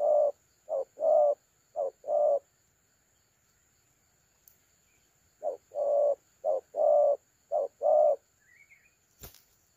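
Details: Spotted dove calling thổ calam style, decoy bird recorded 30 October 2022: two phrases of short and long low coos separated by a four-second silence, a click and brief high chirp near the end.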